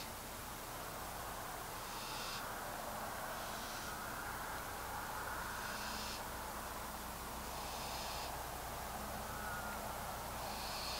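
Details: Young wild barn owl walking on the ground in darkness at night, giving breathy, noisy hissing bursts about every two seconds, each lasting under a second, over a steady loud background hiss.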